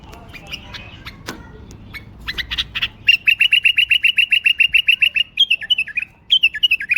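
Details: A caged, hot-tempered male pet bulbul, about 80% tame, with orange-yellow undertail, in Baghdad, gives a fast run of bright, clipped chirps, about four a second, ending with a few sweet, falling whistled notes.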